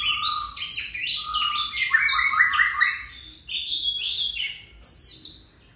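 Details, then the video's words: Oriental magpie-robin singing a sustained stream of mixed whistles, low steady notes alternating with high rapid trills and slurred phrases, barely pausing throughout "Choè than hót dài đếm mỏ 1 hơi tới 15s"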